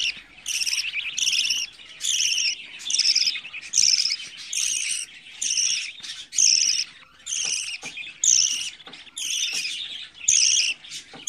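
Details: Young budgerigars, 24 days old, give harsh, rasping pulsed calls in regular bursts of roughly half a second, about once per second, over a quiet background.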